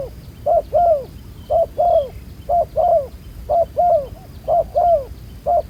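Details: Wild-caught spotted dove with dark collar spots, calling during ground-decoy trapping. Steady low coos in twos: a brief note followed by a drawn-out falling coo, each pair roughly a second apart.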